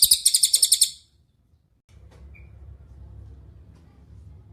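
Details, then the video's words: Ashy tailorbird (cililin) master song for training songbirds: a brief fast trill of high sharp notes lasting about a second, then quiet with a soft low rumble. "MASTERAN CILILIN GACOR – Suara Jernih Untuk Murai Batu, Cucak Ijo, Kacer"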